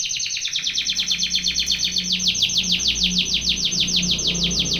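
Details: Belgian canary song for training: continuous loud, rapid, rhythmic trilling of repeated downward-sweeping notes, with a faint low hum in the background.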